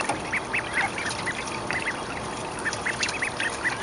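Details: Growing mallard ducklings at day 29 in a school courtyard pool in spring 2012, giving a steady series of short, arched, high peeps several times a second over faint background hiss.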